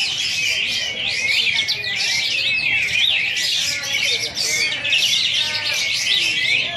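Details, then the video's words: Contest-champion bulbul (kapas tembak) giving its besetan, a sustained rapid song, at a bird-contest launch event in Singkawang, Indonesia: dense, continuous high chattering of quick rising and falling whistled notes, with no pauses. "Besetan Kapas Tembak Juara"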